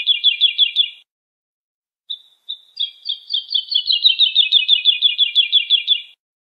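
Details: Lark song meant for young birds to memorise: a brief rattling trill, a pause, two thin whistles, then a long, accelerating chatter of quick, buzzy repeated notes lasting over three seconds, background silent.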